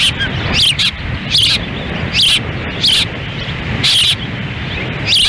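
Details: Osprey at a nest in Lolo, Montana, on June 10, 2017, during a difficult feeding of chicks in the wind while the male stands by; sharp high chirps come in short bursts every second or so over steady low wind rumble.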